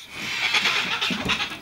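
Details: A flock of about 50–100 free-flying Sulphur-crested Cockatoos feeding on scattered budgie mix in a Cromer, Sydney backyard, 31 May 2010, give harsh, grating screeches in overlapping bursts, with a man's voice nearby.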